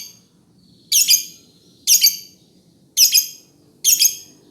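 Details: Four sharp, shrill lovebird chirps come about once per second, each a double-peaked harsh note over a faint low background murmur.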